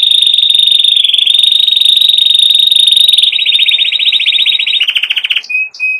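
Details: Canary song with a long, loud, continuous rolling trill, shifting to a faster pulsed trill, then a lower buzzy roll, ending with short high whistled notes.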